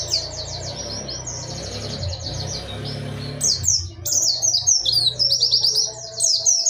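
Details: Dakun wilis ngerol nembak singing from an Oriental white-eye: high, rapid trilled chirps, softer at first over a loud low hum, then louder, sharper slurred notes once the hum drops away.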